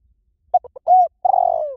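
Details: Spotted dove call for luring wild doves, said to work in any forest: three quick clipped coos, a smooth rounded hoot, then a long vibrating purr that trails off lower; nothing else audible.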